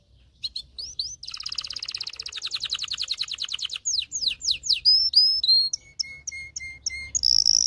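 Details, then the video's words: Excited canary in full song, played to teach males singing and prime females for breeding: short sweeping notes, a long buzzy trill, quick descending slurs, then spaced whistled notes and a final high buzz. "غناء طائر كناري لتدريب والتسميع ذكور الكناري على الغناء Canary singing"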